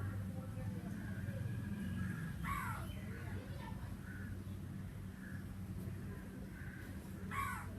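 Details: Crow giving a few scattered harsh caws, one clearer burst early and another near the end, with softer calls between, over a constant low background rumble.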